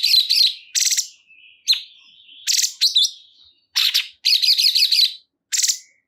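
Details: Cungkok bulbul in energetic song: clusters of scratchy, buzzy high notes and rapid trilled phrases, delivered in quick bursts with short gaps between them.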